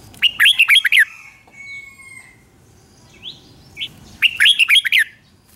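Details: Morning song of the Red-whiskered bulbul, 'ché' style used to train kept birds: two crisp bubbling warbled phrases about four seconds apart, each of five or six quick looping notes, with a thin steady whistle between.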